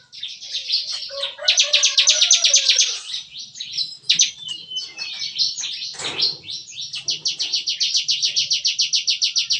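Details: Caged bar-winged prinias (ciblek kristal) in a breeding aviary, singing on a lively morning in 'nembak-nembak' fashion: bursts of very fast, high, clicking trills, a brief muddled patch, then an even, machine-gun-like run of sharp notes to the end.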